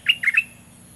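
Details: Decoy Olive-winged bulbul in southern Thai bird-luring practice, uttering three quick harsh slurred notes in under half a second, followed by faint low background hum.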